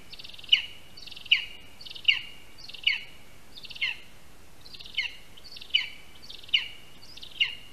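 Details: Ten shrill yelps in a regular run, roughly one every 0.8 seconds, from a lesser spotted eagle at a Latvian spruce nest on 22 August 2021, as a rat is brought in as first prey and handed over in the tree.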